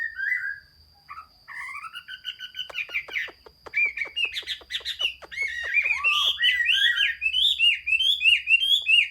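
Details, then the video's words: Chinese hwamei, 15 June 2021, opening with mellow wavering whistles, then a fast rattling series of sharp clicks, building into a dense, lively warble of bouncing whistled phrases. "Chim hoa mi hot xuy. Singsong bird very beautiful"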